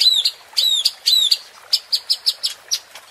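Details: White-rumped shama calling to provoke competition birds: high clear whistled slurs at first, followed by a spaced series of short bright chips, about two per half second.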